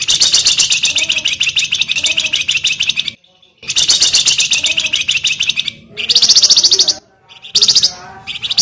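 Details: Javan grey-throated white-eye singing, recorded as a master song for training cage birds: long, dense, very high chattering trills in rapid pulses, broken by short silent gaps, with faint lower notes beneath.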